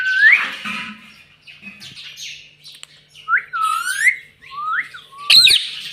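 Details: Pet rose-ringed parakeet taught to say "mummy": rasping squawks followed by several short, clear whistled notes that sweep upward, then a sharp harsh screech near the end.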